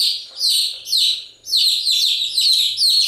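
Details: Loud, high chick chirps, each a quick falling whistle, come in a near-continuous series with one short dip halfway through.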